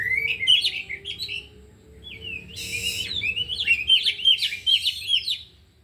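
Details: Oriental magpie-robins, four caged birds at afternoon practice, pour out 'isian' phrases: clear rising whistles and chattering notes, one harsh burst near the middle, then a lively twittering sequence that fades at the end.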